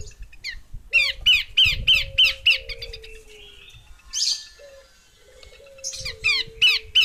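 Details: Rasping call series from a female Horsfield's babbler, repeated harsh downslurs about three per second, a noisy burst mid-way, then the scratchy series resumes; faint thin whistles below.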